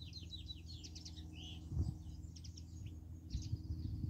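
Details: Several European goldfinches in spring give a rapid, tinkling, twittering song with short buzzy trills. A strong low mechanical hum and a few dull knocks run underneath.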